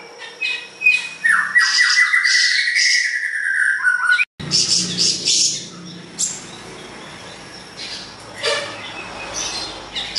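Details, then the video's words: Siri-siri besar (large flycatcher) in full, lively song: a rapid, even run of clear notes slides up and down, then gives way to harsh, scratchy chatter and scattered high squeaks after a brief break. "Masteran burung siri siri besar gacor"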